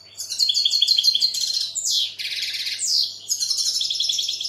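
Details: European goldfinch singing a rapid chain of bright chirps, two harsh descending buzzy sweeps, and continued twittering phrases.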